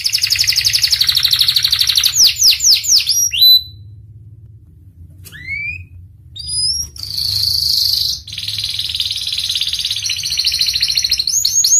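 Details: Panda canary in full song: a long rattling trill, a run of fast falling sweeps, a pause with a few rising whistles, then another sustained buzzy trill and more sharp sweeps, over a faint low hum.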